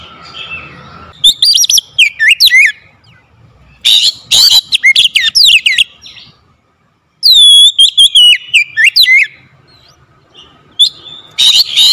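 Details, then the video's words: Oriental magpie-robin singing as a caller meant to spur a reluctant bird: bursts of sharp whistled, swooping notes and harsh chattering, separated by short pauses, with a faint low hum behind. "KACER PEMIKAT KACER MALAS BUNYI LANGSUNG TERPANGGIL IKUT GACOR"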